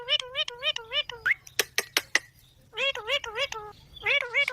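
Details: Green parrot talking in rapid, speech-like syllables repeated in a quick run, broken by a few sharp clicks, then another string of wavering nasal syllables over a faint low hum.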